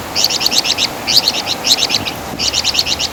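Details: Flamboyan bird (Wergan Jawa) tutor song: four short clusters of quick, high, sharp chip notes, each burst lasting under half a second, separated by brief gaps over low background hiss.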